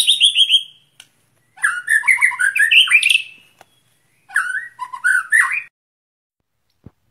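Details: White-rumped shama set out in the open air, singing to train breathing. It gives three bursts of fast, varied whistled and warbling phrases with brief silent gaps between them, and ends with a faint click.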